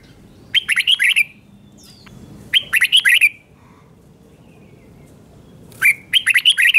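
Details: Caged red-whiskered bulbul gives slow, clear doubled 'beun' song for teaching young birds to copy: three lively phrases of rapid warbling notes, repeated roughly every two and a half seconds over faint hiss.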